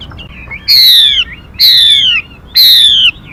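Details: Female Mi bird decoy song for luring and trapping birds and training young birds' voices: three loud, clear whistled notes, each sliding down from high to lower pitch, repeated about once a second, over faint background hiss.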